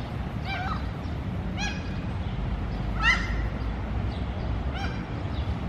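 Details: Mew gulls calling at food: spaced, high harmonic cries, four or five over several seconds, one sharply rising, over a steady low rumble of background noise.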